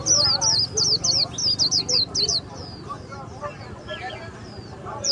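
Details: A tame Swinhoe's white-eye at a Vietnamese bird market sings even with the camera close, warbling a quick run of very high, thin twittering notes for two seconds, then trailing off, over faint voices and market bustle.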